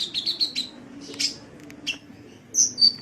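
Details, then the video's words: Sunbird chirping from a tutor track: four quick high notes in a row, a brief buzzy upslurred chip, then two piercing whistled notes close together near the end. "Masteran Suara Kolibri"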